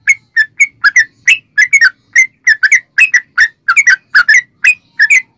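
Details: Yellow-vented bulbul delivering a long, energetic 'ropel' song meant to prompt other bulbuls to sing: a steady stream of bright, bubbling, slurred notes, often doubled, about a note every half second.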